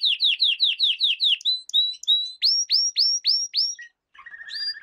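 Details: Canary singing in a lesson for young canaries: a series of clear falling whistled notes about twice a second, short flat notes, a row of sharp rising upsweeps, then a soft low rattle.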